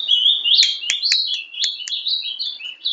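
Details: Young ultramarine grosbeak (Passerina brissonii) singing Paraná style song, a continuous, rapid warble of slurred whistles rising and falling, punctuated by several sharp clicks.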